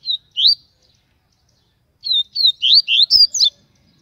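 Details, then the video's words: Papa-capim (baiano type) from Aracaju, Sergipe, singing loudly: rapid bright upslurred and downslurred whistled notes, a short pair followed after a pause by a fast run of six notes, with faint low knocks. "Papacapim baiano TUI TUI SHOW,esse passa canto"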